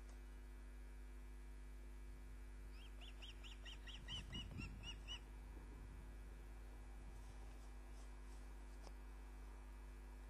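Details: Osprey at Loch of the Lowes, Scotland, on 29 June 2010 at 20:34, bringing a fish back to the nest: a burst of short, upward-curving whistled chips repeated rapidly over about two seconds, with steady low hum and a few thuds.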